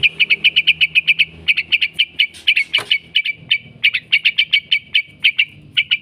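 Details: Energetic ngekek from a yellow-vented bulbul kept for bird training: crisp, bright chattering notes in rapid bursts of eight to ten, separated by short pauses, with one brief scratchy noise near the middle.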